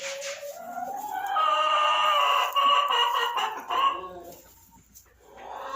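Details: A Barred Rock laying hen in a nesting box gives a drawn-out, nasal, wavering call, rising and holding for a few seconds, then trailing off into a softer rising note.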